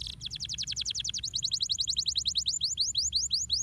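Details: Canary song meant to stimulate other birds to sing: a fast, even trill of high rising notes, about three per second at first, then changing to a slower series of broader upswept whistles.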